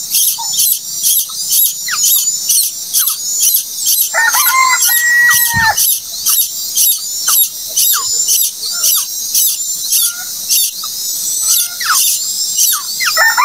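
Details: Common koel chick, hatched late, keeps up shrill high-pitched begging squeals, roughly two per second. A lower, smoother tonal sound briefly cuts in midway before the insistent squealing resumes.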